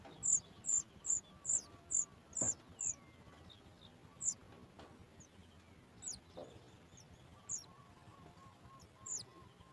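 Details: Sooty chat nestling begging on hearing its mother with food: a quick burst of seven high piping notes, then silence broken by a few scattered faint squeaks and soft knocks.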